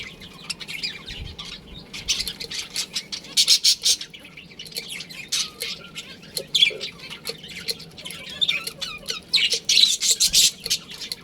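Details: Breeding pair within a budgerigar colony heard amid constant group twittering, short high chirps interspersed with louder scratchy squawk bursts and a couple of low knocks.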